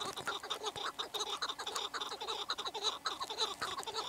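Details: Chukar partridge giving a rhythmic series of short, throaty clucks, nearly two per second, rising and falling in loudness like a rolling chant.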